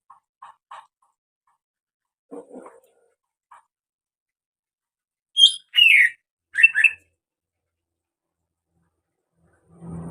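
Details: Greater green leafbird making unusual sounds: faint scattered low notes, then three loud clipped chirps in quick succession, followed by a low hum at the end.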